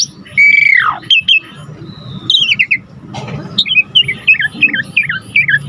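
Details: Energetic Asian pied starling (Jalak Suren) song for tutoring birds: a loud whistle curving downward, scattered chirps, then a rapid descending cascade of short slurred notes.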